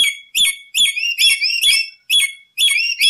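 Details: Lory used as a lure recording, giving ringing whistled phrases of bent and rising notes in bursts a little under half a second apart, separated by brief pauses and soft low thuds.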